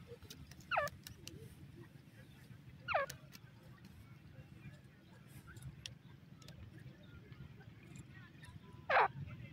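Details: Partridge calls, with the male and female both calling and baby pheasant sounds also featured: three short, loud, sharply sweeping notes, the first two about two seconds apart and the third after a six-second pause, over a steady low rumble.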